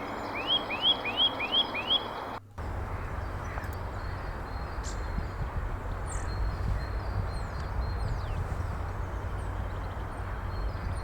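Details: Male Eurasian nuthatch singing near its nest in spring: five quick rising whistles, about three a second, then a steady rushing noise with faint high chirps from other birds.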